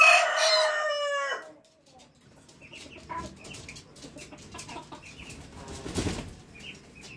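A red junglefowl rooster gives one loud, harsh crow lasting about a second and a half, cut short at the end, followed by quiet background clatter and faint chirps.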